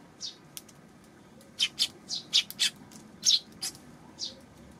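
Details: Eurasian tree sparrow on 19 June giving a lively run of bright, high chirps. A few isolated notes are followed by a rapid cluster of about eight loud tweets in under three seconds, then a final chirp, with a quiet background.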